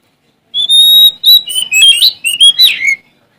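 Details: Oriental magpie-robin, a Sumatran male challenging rivals, pours out a continuous three-second phrase: a long pure whistle followed by rapid varied chirps, trills and slurred notes.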